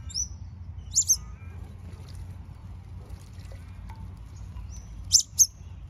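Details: New Holland honeyeaters make short, piercing high chips in paired bursts. One pair comes early and another comes about four seconds later, with faint thin whistles between them and a low steady rumble.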